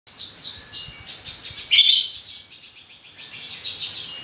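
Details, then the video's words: Australasian bushlark (Mirafra javanica), a kept songbird, singing a rapid run of high chirps and short buzzy notes, with one louder harsh burst near the middle; no other clear sounds. ""BRANJANGAN" BURUNG SAWAH BERSUARA EMAS"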